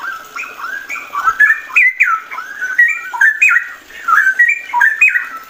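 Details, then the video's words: Straw-headed bulbul (cucak rowo) singing in the 'ropel' style: loud, varied whistled phrases that slide up and down in quick, uneven bursts, with short gaps between them. The setting sounds like a small room. "cucak rowo ropel"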